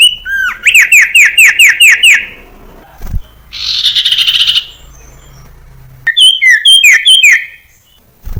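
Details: Common iora song with many sound combinations, played to train young caged ioras to sing: a rapid run of about eight sharp falling whistled notes, a dense buzzy burst, then more quick slurred whistles.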